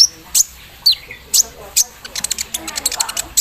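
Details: Javan sunbird set out in morning dew, with an embroidery-machine-style song: a few spaced high falling chips, then a fast stuttering run of sharp ticking notes.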